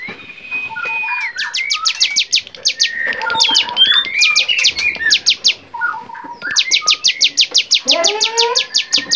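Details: Bar-winged prinia singing for a songbird training recording, rapid bursts of high, sharp repeated chips at the start and end, broken by mixed whistles and chatter from other birds in the middle.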